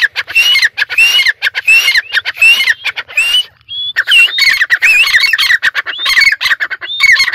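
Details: Loud, almost continuous harsh calling from a caged dakni francolin perched in Sindh, full of grating notes and repeated rising whistles, with one brief clear whistle mid-sequence.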